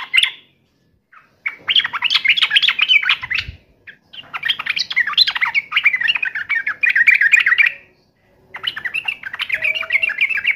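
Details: Yellow-vented bulbul challenging a rival with long, dense, jumbled bubbly warbling that runs almost continuously in several stretches, with brief pauses and a soft thump in the middle.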